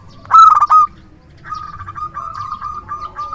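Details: Strong-voiced local zebra dove used as a trusted luring decoy opens with a loud, fast, rolling coo phrase, followed by a long, quieter run of steady, evenly pitched cooing notes.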